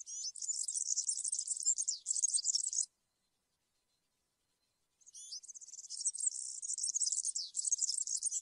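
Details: European serin singing in the country-style campero manner, meant for tutoring young birds: two bursts of fast, high, jingling, buzzy twitter, each about three seconds, split by a two-second silence.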